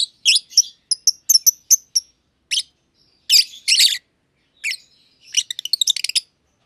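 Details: Two green-colour personata lovebirds in an aviary chirp in short clear pipes, then two harsh scratchy bursts, and finish with a fast stuttering trill of high clicks.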